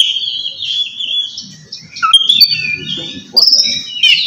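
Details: Oriental magpie-robin in ngeplong style, calling a rival. Sustained high whistles glide and waver, broken by a few sharp notes and a rising flourish near the end. Faint low rumbling runs underneath.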